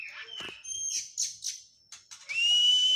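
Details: Oriental magpie-robin during physical training after moulting; clear whistled notes, some held steady and some sliding, mixed with short buzzy bursts, ending in a long loud pure whistle.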